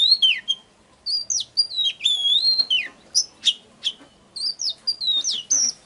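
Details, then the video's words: Oriental magpie-robin song used as a lure to trigger singing and draw in wild birds: clear, varied whistled phrases, some sliding down and some rising, in quick bursts separated by short pauses, with a faint low hum beneath. "Chòe than Hót || Kích HÓT CỰC XUNG || Tiếng than MỒI GỌI BỔI"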